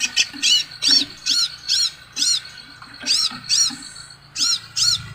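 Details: Crimson sunbird giving a rapid series of high, thin, arched chirps, roughly two per second with uneven spacing, set against a constant low background hum.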